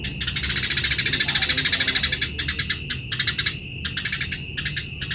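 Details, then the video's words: Eurasian tree sparrow singing actively for use in training other birds: a long unbroken stream of fast, piercing chirps lasting about two seconds, then several shorter choppy bursts separated by brief silences, over a constant faint tone. "BURUNG GEREJA GACOR || PAS BUAT MASTERAN"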